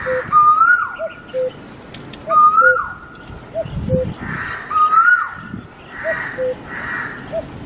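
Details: Cuckoo giving soft, low two-note calls, a higher short note dropping to a lower one, repeated about every second, beneath a louder, rising whistled call of another bird that recurs every two to three seconds.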